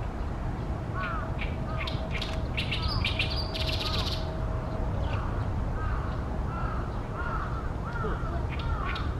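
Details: Oriental reed warbler singing loudly from tall tree branches beside a reed-fringed pond in Ashiya, Japan, on a fine late-May day in 2020: a burst of harsh, grating broadband chatter midway, with repeated arched whistled notes from another bird and a steady low rumble.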